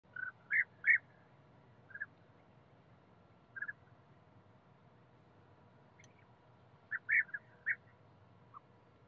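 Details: European bee-eater in a forest setting giving short, rolling burry notes in scattered bursts, with quiet gaps of one to three seconds between them, over a steady low background hum.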